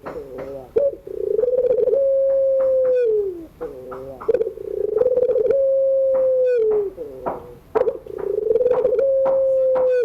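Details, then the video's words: Long-cooing Barbary dove in pelung style, afternoon, a model for young birds learning to sing: three similar phrases, each a bubbling roll into a long steady low note ending in a downward slide. "tangisan suara puter pelung sore hari, pas buat pacingan burung yg lagi belajar bunyi"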